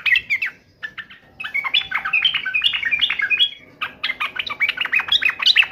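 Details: Singing yellow-vented bulbul, mocking and answering a rival. Dense, tumbling streams of liquid, bubbly notes pour out in two long bursts split by a short gap, over a steady low background hum.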